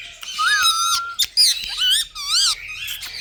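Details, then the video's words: Pet Indian ringneck parakeet squawking indoors: a long wavering nasal note, followed by several shorter hoarse, undulating squawks about a second apart. "Parrots Beauty Funny Sound"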